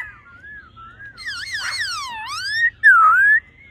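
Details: Female laughingthrush giving a 'ro ro' call to excite the male: a soft wavering whistle, then louder swooping notes that dip and rise, ending in a clear rising whistle.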